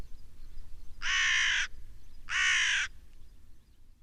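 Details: Black crow giving two harsh, hoarse caws about a second apart, each broad and raspy and lasting under a second, over a quiet low rumble in the background.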